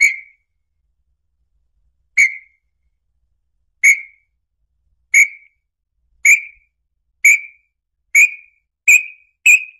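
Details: Red-legged tinamou song used to attract the bird: a series of nine short, clear whistles with a sharp start and falling tail, coming closer together toward the end, with silence between them.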